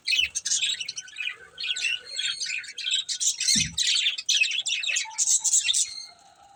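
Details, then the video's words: Colourful budgies kept as a family group, chirping steadily: dense, buzzy, high warbling chatter in overlapping bursts, with one soft low thump near the middle. "Cute Colourful Budgies Chirping Sounds"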